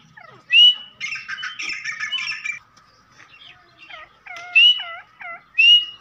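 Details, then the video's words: Partridge (teetar, possibly Irani teetar) used as a trap lure: loud, sharp rising whistled notes spaced a second or more apart, mixed with a run of harsh, buzzy chattering notes. "Teetar ke awaz"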